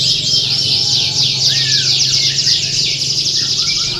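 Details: Many canaries singing at a contest: sustained bright, high, rapid trilling with fast repeated chirps, a few downward-slurred whistles mixed in, and a faint low hum underneath.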